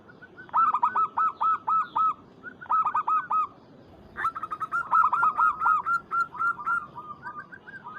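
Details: Local Zebra dove calling to provoke a rival: loud bursts of rapid, ringing cooing notes, about four a second, in three phrases separated by short pauses. Fainter coos from other doves sound in the background.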